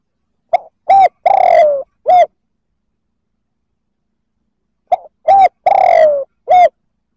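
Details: Spotted dove calling to provoke other males. Two phrases about 4.4 seconds apart, each a faint note, a short hoot, a long downward-sliding buzzy coo and a clipped final hoot, in otherwise silent surroundings.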